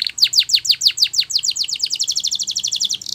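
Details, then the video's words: Canary singing for training: a fast series of downward-swept chirps, about six per second, accelerating into a tight rolling trill before a buzzy ending. "Your Canary Will Sing Immediately"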